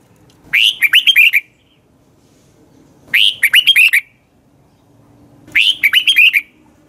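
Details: Morning training song of a red-whiskered bulbul, used as lure song for other birds. Three clear phrases of rapid, rising and falling whistled notes, each about a second long, separated by two-second pauses over a soft background hum.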